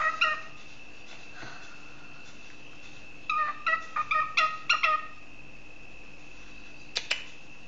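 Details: A pet male cockatiel, said to think he can play a jig on the tin whistle, gives a quick burst of short, bright chirped notes midway, then two sharp chirps near the end over a steady faint tone.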